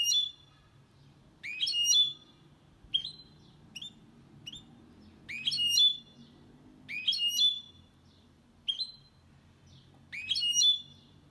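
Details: Hybrid of goldfinch with canary singing clean, meant to encourage males to sing and help chicks memorise: bursts of rich twittering phrases alternating with single bright chirps, about every second or two, over quiet background.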